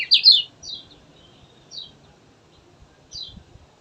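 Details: Kecial kuning opens with a brief loud burst of high twittering, followed by three thin, high, downward-slurred notes spaced about one and a half seconds apart, with faint low tapping.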